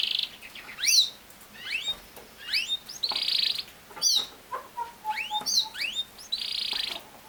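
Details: Canary delivering upward-sweeping whistles and brief buzzy rolls in separate bursts with short silences, plus a few soft, low, level whistled notes midway.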